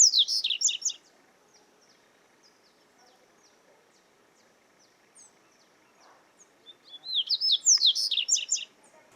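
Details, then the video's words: Coleiro, or double-collared seedeater, recorded live in nature: a fast chattering song phrase, then soft scattered chips during a quiet gap, and a second loud phrase of rapid sliding, buzzy notes. "Canto Para Esquentar Coleiro - Gravado ao Vivo na Natureza"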